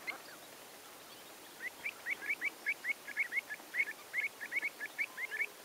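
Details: Common shelduck (Tadorna tadorna) in Romania, April 2014: a fast run of short, nasal, clipped calls, roughly four or five a second, after a quiet start; faint background hiss.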